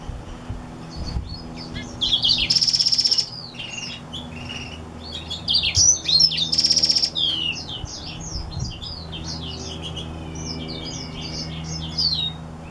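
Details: Hybrid seedeater, Black-throated crossed with Reichenow's, singing. Quiet scattered chirps build into loud, rapid buzzy trills, then a twittering series of high whistled notes. A faint low hum lies underneath.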